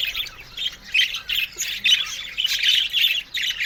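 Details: Aviary budgerigar colony: squawky chirps come in quick bursts about every half second, each a rasping high warble, with many birds calling over one another.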